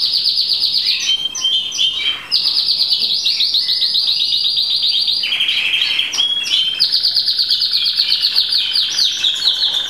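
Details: Llarguet Español canary in full song: long, loud, rapid rolling trills that shift between levels, with brief changes of phrase, continuous throughout.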